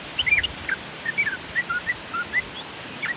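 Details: Nropel-style song of a yellow-vented bulbul, recorded as training material for caged birds: short, liquid chirps and slurred notes, spaced irregularly, over a steady hiss of wind.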